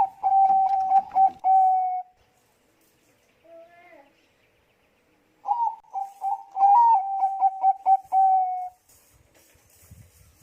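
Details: Bangkok zebra dove singing a lure song to start other doves singing: a rapid stuttering coo phrase, a pause with a faint short call, then another rolling coo phrase ending in a long note, light rustling after.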